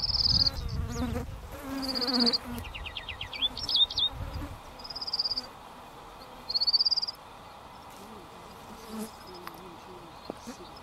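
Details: An adult Chestnut-breasted Whiteface, preening on the Strzelecki Track on 14 September 2013, gives short, high, buzzy trills of rapid notes with a lower wavering phrase between them; low wind or handling rumble at the start.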